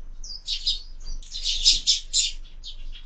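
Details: Sparrows fighting at a feeder fixed to a window; rapid, overlapping harsh chirps and chattering notes running together in a heated squabble, with a faint low hum beneath.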